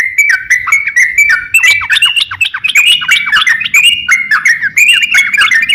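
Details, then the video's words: Crocok-cokan singing a master song used for training songbirds: a rapid, scratchy chatter of clipped whistled phrases with sharp clicks, nearly continuous, plus a faint low hum in the background. "crokcokan gacor siap jadikan masteran kicauan"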